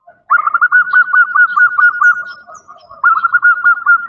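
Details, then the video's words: Female zebra dove calling for a male: a sustained fast trill of throaty coo notes that tapers off, then a second rapid burst begins after a brief dip. "Perkutut Betina Memanggil Jantan"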